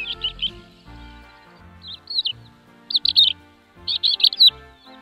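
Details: Crested lark singing: short bursts of warbled, slurred whistles in quick clusters, separated by brief pauses, over faint steady low background tones.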